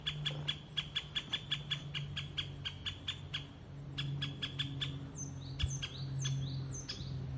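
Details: Great spotted woodpecker of the Ezo race in Hokkaido, giving sharp, clicking notes repeated about four to five times a second; thin whistles from other birds join near the end over a low steady hum.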